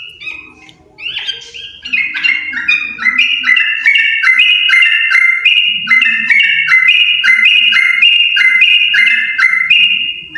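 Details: After a rising opening note, a yellow-vented bulbul pair settles into a long, steady chattering song of quick, evenly pulsed, bell-like notes alternating between two pitches for about eight seconds.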